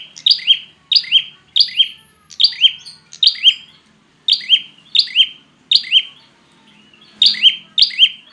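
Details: Repeated prinia call meant to provoke silent or stressed birds into singing: paired high chirps, the second lower and buzzier, in steady bursts with a short pause near the end.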